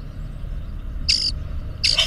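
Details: Male grackles displaying to a female, captured by a Birdsy camera: two brief, harsh, squeaky bursts about three-quarters of a second apart over a steady low hum.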